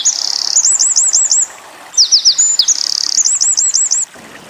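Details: Tutor song of the Eurasian wren for white-eye training: bright looping trills and a buzzy rattle, a short break, then more shrill descending notes and rolling loops.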